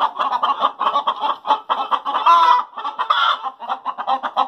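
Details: Hens cackling after laying: fast staccato clucks from multiple birds, peaking in a long loud squawk around the middle before the clucking resumes.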